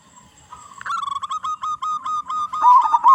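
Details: Local-strain zebra dove with a big voice singing as a lure for others of its kind: a fast chain of rapid clipped coos, about two to three per second, building into loud, rolling quavered notes at the end.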